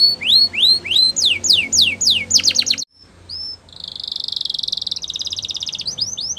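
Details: Singing Spanish Timbrado canary delivering quick rising whistled sweeps, a short silence and a single thin note, then a long rattling trill before the sweeps resume.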